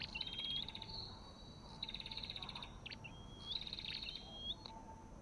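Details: Orthotomus sepium, the olive-backed tailorbird, giving drawn-out high whistles mixed with quick chip bursts and short rising slurs, repeated several times against a soft background hiss.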